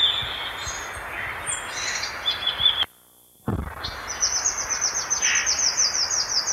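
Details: Song of the violaceous euphonia, or gaturamo-verdadeiro: scattered high whistles and chips, a short silence, then a long rapid rattling series of very high repeated notes over background hiss.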